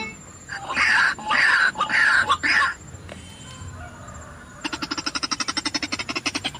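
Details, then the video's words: White-breasted waterhen calls played as a lure to attract wild birds: four loud, harsh, croaking bursts, then a quieter pause and a fast run of evenly spaced clipped notes. "Pikat Burung Ruak Ruak"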